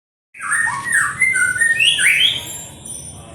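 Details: {'text': 'Kapas tembak (white-eared sibia) song: a run of clear whistled phrases, some sliding up and some dropping, broken by harsher squawky notes, over a low steady background hiss.'}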